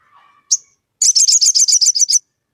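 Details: A sogon in ngleper style calling a rival to make another sogon sing: a low faint note, one sharp high chirp, then a quick even burst of about a dozen shrill notes.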